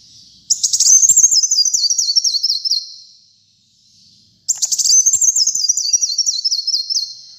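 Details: Sunbird (kolibri muncang) singing energetically: two very high, thin phrases, each a fast stepped warble sliding downward over about two seconds, separated by a brief silence.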